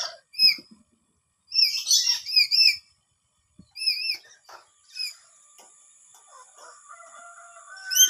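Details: Startled parrot replying loudly to sounds from its surroundings: bursts of sharp, high chirps in quick clusters, each note a short up-and-down arc. The calls come in groups of three to five, separated by brief pauses, with faint steady tones late in the recording.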